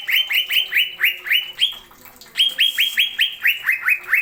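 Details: Greater green leafbird (cucak ijo) in masteran-style 'nembak' song: steady rows of bright, rising, slurred whistles repeated rapidly, one short pause midway, then the same run continues.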